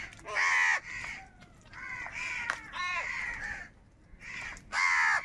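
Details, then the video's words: Crows contesting food utter loud, grating caws, around five calls, some drawn out and others clipped, separated by short pauses. "Crow bird Fight for Food | Different kauwa ki awaz"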